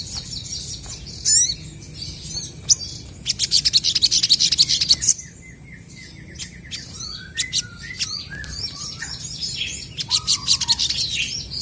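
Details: Crested jays called sogon in a back-and-forth exchange intended to spark replies from untrained birds. Rapid high rattles come in two long bursts, and softer whistled, slurred notes sit lower in between.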